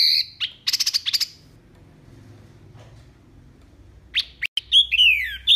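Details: Wambi mini heard in a clear tutor recording for training caged songbirds: a fast burst of buzzy repeated notes, a pause, then sharp chips and quickly descending whistled slurs.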